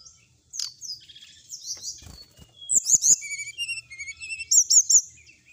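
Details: Sooty-headed bulbul song with full, varied content: a twittering of high notes building into repeated looping whistles and short steady tones, ending with three sharp chirps.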